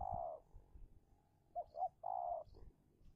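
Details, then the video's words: Spotted dove used as a decoy in Indonesia to lure wild doves during a fierce territorial contest: a drawn-out low coo, then two short clipped notes and another long mellow coo. "Pikat Tekukur (Take down Tekukur Liar)"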